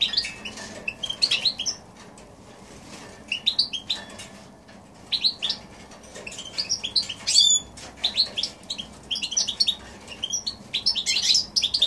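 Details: Goldfinch x canary hybrid recorded in January 2016, delivering bursts of quick twittering notes separated by short pauses, with fluttery chirps and a sharp high trill near the middle.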